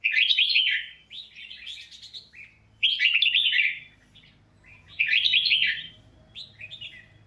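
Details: Red-whiskered bulbul known for its fine voice, repeating lively warbled phrases about every two seconds, each a cascade of rich whistles followed by softer trailing chirps, with a low hum behind.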